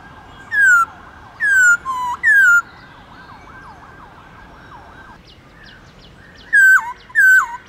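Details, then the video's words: Black-throated laughingthrush sings wild-type song, loud clear down-sliding whistles in bursts of two or three over softer chirping from other birds, played to stimulate captive laughingthrushes; laughingthrush song. "Khướu Hót giọng rừng"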